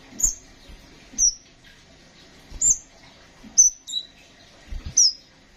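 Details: Kolibri ninja sunbird giving high, slightly drawn-out chirps roughly every second, one dropping lower in pitch, mixed with soft thumping knocks.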